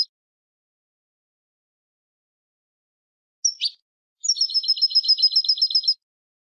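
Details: A female European goldfinch chatters to stimulate a silent male to sing: one short high call, then a quick run of about a dozen bright, tinkling twitters.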